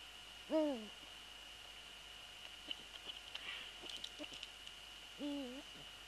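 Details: Eurasian eagle-owl at its nest on 3 February 2014, during a prey transfer and the male sitting on the nest: two descending, wavering harmonic calls nearly five seconds apart, with soft rustling and clicks in between.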